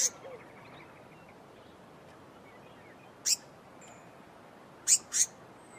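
Four thin, very high, sharp call notes spaced unevenly, two close together near the end, over a quiet hiss.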